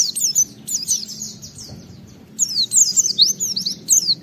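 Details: Oriental white-eye song used as a lure for other white-eyes: high, sweeping downslurred chirps in short rapid bursts, a brief lull, then more energetic twittering with a faint low background hum.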